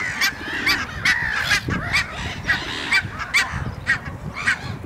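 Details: Great black-backed gull, which usually gets to eat in peace, feeding and giving hoarse, honking calls about two or three times a second, over a low background rumble.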